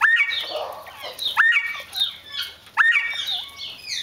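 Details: Mexican speckled quail repeating a sharp rising whistle roughly every one and a half seconds, three times, each followed by softer chattering notes.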